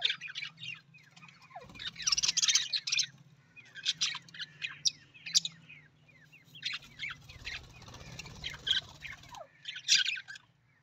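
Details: Budgies, Australian parrots, keeping up a continuous mix of buzzy warbles, rising squeaks and clicks, louder in several bursts, over a faint steady hum.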